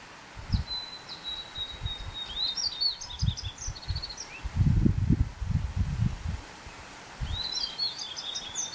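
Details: Yellow-throated bunting, a resident bird, recorded during neighbourhood birdwatching: two high, clear twittering phrases, the first opening with a long thin note and running into quick chirps, the second near the end, over low thumping rumble.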